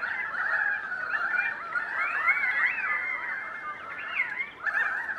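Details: Currawong flock of perhaps 100 birds passing through Donvale in winter 2014, calling to each other: dense overlapping chorus of ringing, warbled and gliding whistled notes, continuous, with a short lull near the end.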